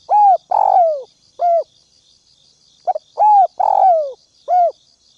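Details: Spotted dove used as a ground decoy, cooing to lure wild doves: two coo phrases, each a short note, a longer throaty coo and a drawn-out falling coo, then a final short coo, over a steady high insect-like buzz.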